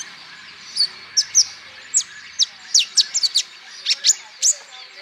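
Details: Olive-backed sunbird lure recording meant to stimulate other birds to sing: separated, sharp, high downslurred chips, single or in quick pairs, spaced irregularly over a quiet background.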